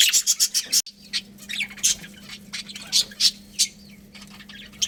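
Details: Budgerigars in a colony giving sharp, clipped squawks and chirps, about four per second at first, then sparser scratchy notes over a constant low hum.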